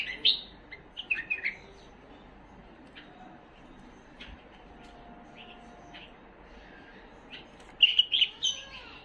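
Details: Tame Himalayan bulbul giving short, bright chirping phrases of a few quick notes at the start, then a quiet pause of several seconds, followed by another lively burst of high chirps near the end.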